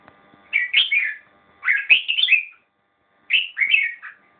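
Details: Red-whiskered bulbul delivering three short warbling phrases, each a quick run of clear whistled notes rising and falling, separated by pauses of about a second.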